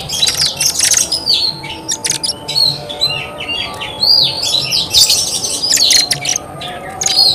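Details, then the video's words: Oriental magpie-robin singing continuously in a dense mix of whistles, slurs and harsh notes over a steady background noise. "Kacer gacor bikin kacer ngobra KONSLET"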